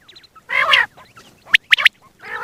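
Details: Single male quail calling, morning and night, in a hunting context: a sharp three-note whistled burst, the notes quick and bright, among harsher rasping, nasal bursts before and after.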